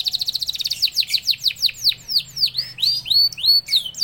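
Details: Canary song used to train other canaries to sing: a fast trill of high notes, then a run of downward-sweeping whistles and rising slurred notes, all high-pitched, with a faint low hum underneath.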